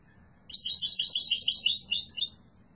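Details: Yellow mutation European goldfinch delivering one continuous, rapid, tinkling phrase of high twittered notes, under two seconds long, strong and clear.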